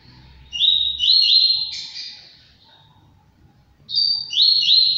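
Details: Song of a caged double-collared seedeater kept by a breeder: two bursts of rapid, rattling high notes that step up and down, with a quiet gap between them. Low murmuring noise underneath.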